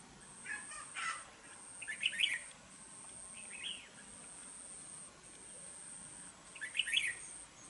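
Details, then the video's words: Red-whiskered bulbul used as a trapping decoy in Dong Nai, Vietnam, known for a harsh, eager voice. Short warbling phrases come at about two, three and a half, and seven seconds, with soft hiss between. "Bẫy đấu chào mào vip | nhậy đuôi xoè mềm , siêng mỏ giọng gắt , hay bung xoè"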